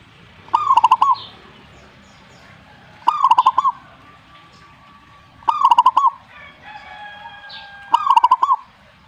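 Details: Responding zebra dove sings four phrases of fast, bubbling coos, one roughly every two and a half seconds, with a faint steady whistle between phrases and soft background noise.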